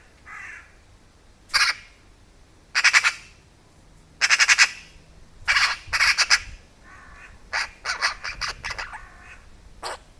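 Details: A curious Eurasian magpie close to a camera set near food gives harsh, rasping dog-like barks and short chattering rattles, about eight bursts at an uneven pace over a quiet background.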